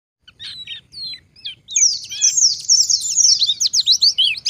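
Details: Wild Oriental white-eye (pleci ngalas) song used as a lure so other white-eyes answer: a few thin separate whistles, then a fast rambling stream of high twittering, slurred notes and quick trills.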